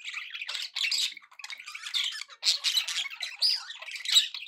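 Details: Several pet budgerigars in happy chatter, trading quick squeaky chirps and raspy warbled phrases in uneven bursts, with brief gaps between the louder spurts.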